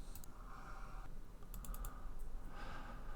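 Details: Computer keyboard clicks and typing over a steady low hum in a small room.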